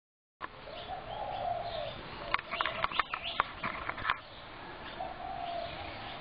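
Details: Spotted doves in a Brooklyn Park backyard on 6 November 2016, being fed by a neighbour: soft, low, drawn-out coos in two phrases, broken by a burst of sharp clattering knocks and rustles.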